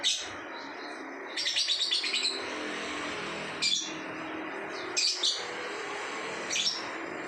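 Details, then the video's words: Lovebird performing ngacor song: a stuttering chatter of rapid high notes, then several short sharp chirps spaced about a second or more apart, over a low continuous background hiss. "lovebird ngacor"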